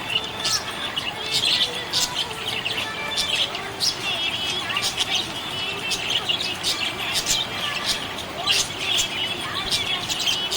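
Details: Budgerigars in a happy mood chirping, sharp high chirps and warbling chatter repeated irregularly over ten seconds, a flock calling at once.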